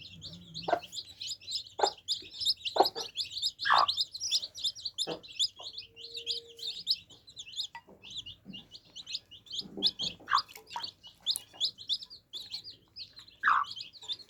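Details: Drinking baby chicks keep up a dense, continuous chorus of high-pitched peeps, with occasional louder lower clucks and a brief low tone.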